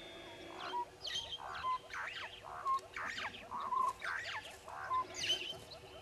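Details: Red-billed hornbills at Djuma, recorded at 05:34 on 10/02/19: a rhythmic run of clucking, hollow notes repeated about once a second, several overlapping, over a steady background chorus of ticking calls.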